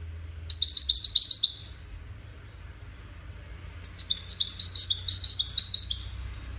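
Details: Goldfinch song used in courtship and communication, given as two bursts of quick, high, tinkling twitters separated by a short pause, with each note sharply rising and falling.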